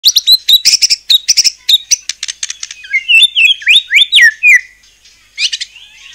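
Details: White-rumped shama singing to provoke other shamas into answering: loud, rapid bursts of sharp high chirps and clicks, then a run of slurred, rising and falling whistled phrases, with a short pause before more chirps.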